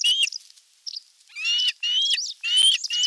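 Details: Whistled, harmonic-rich osprey calls from a nest camera on 27 June 2022, when a whole fish was brought for dinner; loud slightly rising notes come in bursts of three to four, with brief pauses between them.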